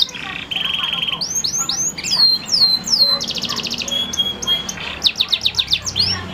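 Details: Male canary singing a loud, varied song: steady high trills, then sweeping whistled slurs that dip and rise, then fast rolled phrases and bursts of quick repeated chips. The song runs on with only brief pauses.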